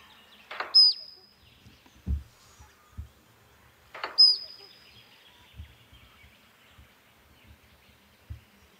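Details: Australian Musk Duck (Biziura lobata) mating display at Tidbinbilla Nature Reserve: a splashy burst followed by a thin, high whistle, given twice about four seconds apart, with soft low thumps between.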